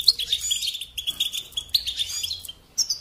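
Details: European goldfinch, a kept songbird, giving softer, slightly blurred twittering song with a few sharp high chirps standing out.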